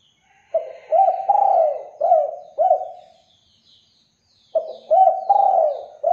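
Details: Spotted dove song used as a lure to make other doves answer: two bursts of low, hollow coos, each a quick run of three or four rounded notes with a longer slurred coo, separated by a silent gap.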